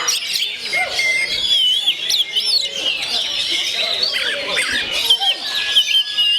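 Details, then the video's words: Natural voice of a 'gondo mayit' oriental magpie-robin: high wavy whistles, squeaky chatter and scratchy notes running together without pause, with sharper accents toward the end. "SUARA ASLI KACER GONDO MAYIT"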